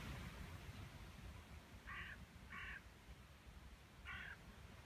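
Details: Bramblings in flight to their roosting trees give three short, harsh, nasal calls, two close together and one more after a pause, over a steady low rumble.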